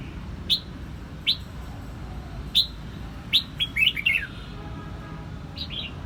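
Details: Red-whiskered bulbul in Quang Nam, Vietnam, giving sharp, high chirps roughly once a second, then a quick bubbly run of falling whistled notes, over a steady low rumble.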